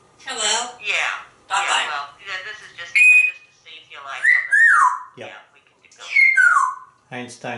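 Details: A talkative male African Grey Parrot, hatched 1997, eating green beans in a home office in Texas, chatters in speech-like bursts, then gives clear whistles and sliding whistled sound effects during a phone call, indoors.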